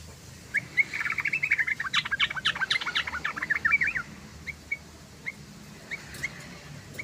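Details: Yellow-vented bulbul singing as a lure for its own species: a three-second stream of quick, bubbly, warbling notes, then evenly spaced single sharp chirps, with faint background noise.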